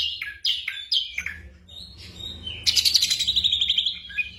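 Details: Black drongo singing, used to train caged birds at night: three quick sharp downslurred whistles, a quieter gap, then a loud, fast, metallic trill of evenly pulsed notes; low rumbling background.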